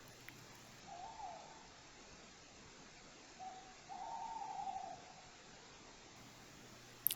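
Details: In woods in Corrèze, recorded by a camera trap just after a wild boar passed, a Tawny Owl sings a soft single hoot, a pause of about two seconds, then a longer, wavering hoot, over steady hiss.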